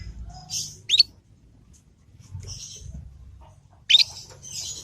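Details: Young Yorkshire canary rehearsing the 'ngriwik' sound, offered as a lure for other canaries to answer: two loud upward chirps about three seconds apart, each with soft high twittering and light background rustle.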